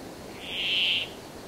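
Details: Brambling singing one long, even, wheezing buzz that swells slightly and then cuts off, with nothing else clearly audible.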